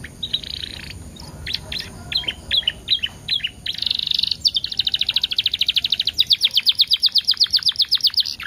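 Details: Canary song played as a prompt with ten-second gaps to get other canaries singing: sharp separate chirps repeated at an uneven pace, a brief buzzy roll, then a long fast trill of clear high pulses building in loudness.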